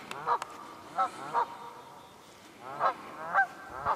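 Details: Wild geese in the Quehanna Wild Area, Pennsylvania, on 27 February, giving short nasal honks in loose pairs and singles, about two calls a second at peaks, with quiet gaps between.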